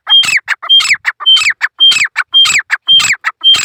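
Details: Male grey francolin calling in a fast, loud series: harsh, ringing multi-note phrases, each opened by a thin pure whistle and repeated nearly twice a second, with short pauses between phrases.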